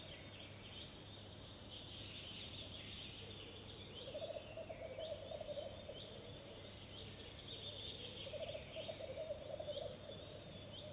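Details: Goosander visiting a nest box for the first time and laying eggs immediately; after a quiet start, two low, pulsed rattling croak bouts follow, over a steady hum and faint high chirping from other birds.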